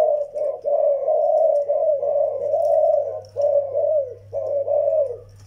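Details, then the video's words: Zebra doves, young Malay-type and old Vietnamese decoy: long, almost unbroken rolling coo phrases with slight rises and falls, broken by two brief gaps, over a constant low electrical hum. "chim malay tơ và mồi việt già"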